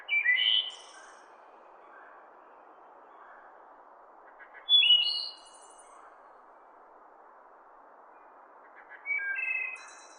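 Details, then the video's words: Wood thrush in its natural forest habitat sings three separate phrases about four to five seconds apart, each a ringing flute-like whistle ending in a high, thin trill, with soft hiss filling the pauses. "wood thrush bird sounds"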